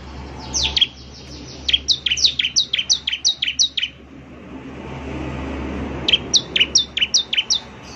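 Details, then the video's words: Bar-winged prinia, a lively bird in full song, giving two runs of sharp high chirps, each note sliding steeply down, repeated rapidly in bursts of about ten with a short pause between; faint low engine hum beneath. "ciblek semi gacor, SEKALI putar saja ciblek semi PASTI ikut bunyi nyaut"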